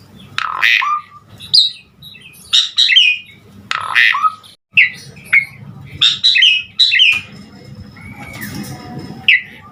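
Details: Lively 'gacor' song of an Asian pied starling (jalak suren), played to encourage starlings to sing: harsh squawking bursts alternating with sharp whistled notes about once a second, with a faint steady hum behind.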